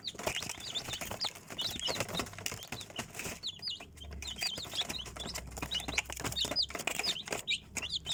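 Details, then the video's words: Young chickens peeping in a busy chorus of high, thin cheeps, with bursts of fluttering and scratching noise in between. "Цыплята / chickens"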